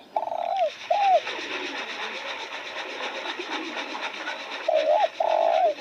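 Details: Spotted dove calling near newly opened roses: two short cooing notes, a falling then a hooked coo, a pause, then two more drawn-out coos, over a steady hiss.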